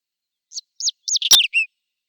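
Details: A spring Whinchat recorded in April 2020 gives a brief phrase of separate high scratchy chirps that ends in a falling whistle. A sharp click sounds in the middle of the phrase.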